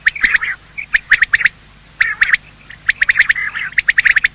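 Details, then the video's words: Morning calls of male and female quail, a recording used to lure quail for hunting: bursts of short, sharp notes near the same pitch, clustered in quick runs with brief pauses and a few softer chattering notes between. "Quail calling sound"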